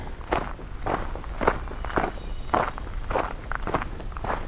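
Steady footsteps outdoors, roughly two steps per second, each a soft crunching thud, with no animal voice heard.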